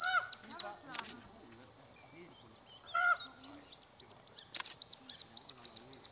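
Mallard ducklings peep in high, thin notes. The peeps come quickly toward the end, about four a second, after a few lower, harsher calls early on.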